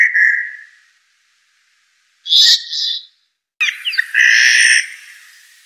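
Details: Blue jay (Cyanocitta cristata) producing separate harsh calls: a fading raspy note, a short burst, and a longer loud grating call, with silent gaps between them.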